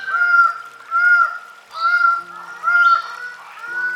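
Greater bird-of-paradise giving loud, nasal, honking calls, about five in four seconds. A low steady musical tone joins partway through.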